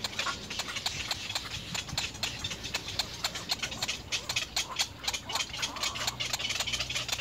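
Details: Little egret chicks at the nest beg and try to feed from their parents with a rapid, harsh clattering of dry ticks and rasps, about four a second and uneven in pace, over a faint hiss.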